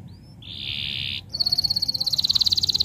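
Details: Canary song used as a masteran tutor recording to get silent canaries singing: a sustained buzzy trill, then a brief pause and a rapid, high, pulsing trill that speeds up and grows louder.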